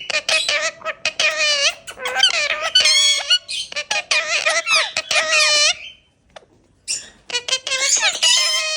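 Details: Indian ringneck parakeets kept as pets and molting, chattering loudly indoors: dense, harsh, nasal squawks run together in long bursts, then a short silence, then another noisy burst.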